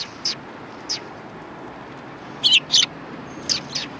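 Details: Sparrows at a Tenmangu shrine on 3 January 2020: a few short, high chirps, single and spaced apart, with a close pair of brighter chirps near the middle and a faint thin tone in the background.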